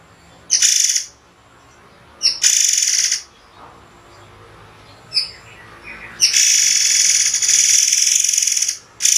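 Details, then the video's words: Murai air, a white-rumped shama, giving sharp song bursts with pauses: brief buzzy blasts and a short rising whistle, then a long sustained harsh buzz. "masteran murai air spesialis tembakan tajam berjeda"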